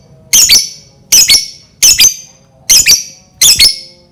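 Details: Lovebird calling to provoke other lovebirds into sound: five loud, harsh, double-pulsed squawks spaced under a second apart, in a quiet small room.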